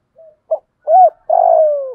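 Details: One phrase from a spotted dove calling in wild birds in the 'thổ' voice style: two faint short notes, an arched mellow hoot, then a long steady croon that slowly slides downward.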